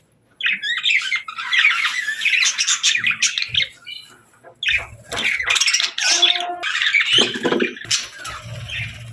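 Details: Budgerigars chirping happily while feeding, a rich warbling chatter with squawky rising and falling notes in two long bursts, separated by a short quieter pause.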